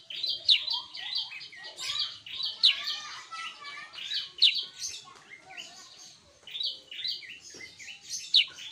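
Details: Sooty-headed bulbul in busy, lively song: dense high chirps and twittering phrases with a sharp downward-sliding note every couple of seconds, the notes crowding closely together.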